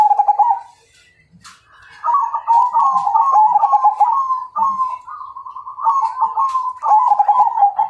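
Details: Majapahit zebra dove calling out a rival to fight: a brief opening phrase, a pause, then a long run of rapid, rolling, bubbling coos pulsing several times a second.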